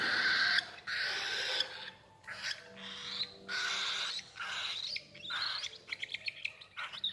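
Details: A sun conure chick at a bird farm in Punjab, India, gives harsh, raspy begging squawks in quick repeated bursts while being hand-fed.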